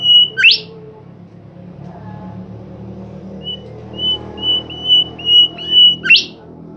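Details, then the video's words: Bimoli bird in vigorous song: a level whistle and sharp upward sweep, a pause over low hum, then a steady run of six level whistles ending in another rising sweep. "burung Bimoli gacor"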